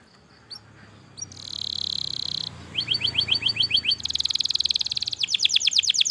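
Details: Canary in long 'gacor' masteran song: after a low background hum, a steady buzzy roll, then quick repeated whistled notes, a dense rattling trill, and fast descending swept notes that grow louder toward the end.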